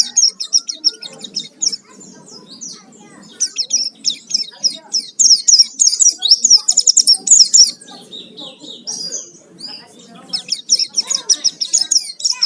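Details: Oriental white-eye lure song, pleci gacor full isian, intended to provoke singing: bursts of rapid high chirping, about three notes a second, in loud busy runs with short quieter gaps between.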